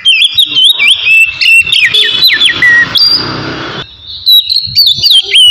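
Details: Oriental magpie-robin singing ngeplong style to spur breeding drive: bright whistled notes dropping in pitch, quick chirps, a brief harsh noisy burst midway, then renewed high wavering whistles.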